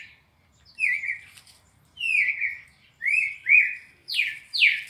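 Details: Red-crested cardinal in a classic four-note training sequence for captive birds from Brazil: clear whistled notes sliding downward, then rising-and-falling phrases, four loud phrases about one second apart, with quiet room background.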